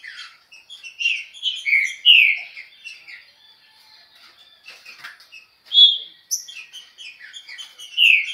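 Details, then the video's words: Fast trinca-ferro song in the Chucrinho style, loud whistled slurred notes alternating with quieter twittering passages, pauses between bursts. "Trinca ferro.( Chucrinho )muita velocidade."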